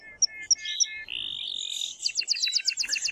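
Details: Male canary singing to stimulate a female for mating: three paired chip notes, a sustained whistled tone, then a rapid rhythmic trill of repeated notes.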